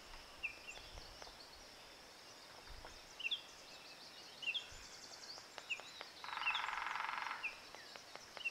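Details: Acorn Woodpecker giving a harsh, buzzy rattle lasting about a second, with scattered high, thin chirps from other small birds and soft background hiss.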